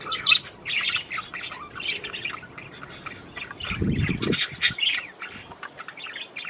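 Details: Australian budgerigars chattering as mating encouragement, squeaky warbles and harsh squawks in quick succession, with a brief low rustling thud in the middle.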